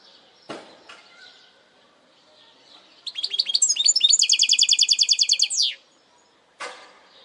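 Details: Segmented song of a goldfinch hybrid. A run of quick staccato notes speeds into a dense, ringing trill that ends with a falling slur. Sharp clicks and knocks sound before and after.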